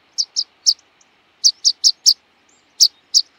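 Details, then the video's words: A rock pipit gives thin, high, sharp 'pseet' notes, about nine in three seconds, in uneven bursts over a faint background hiss. "Luotokirvinen - Anthus petrosus - Rock Pipit - skärpiplärka"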